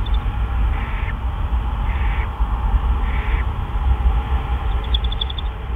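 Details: Owl near the nest on a March 2013 evening around 8 PM, when a gopher and a mouse are delivered as food; three drawn-out, breathy hissing screeches about a second apart, a few brief ticks, constant low droning background.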